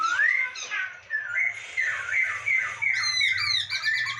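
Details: Masked laughingthrush recorded in Indonesia as a tutor track for songbirds, singing rapidly: a fast run of rising and falling whistled phrases, about three a second, ending in high bright notes, over a low steady hum.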